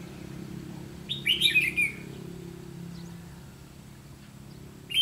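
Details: Red-whiskered bulbul during trapping with a decoy bird; a single loud warbled phrase of rapid clear notes lasting under a second, then near silence with low hum.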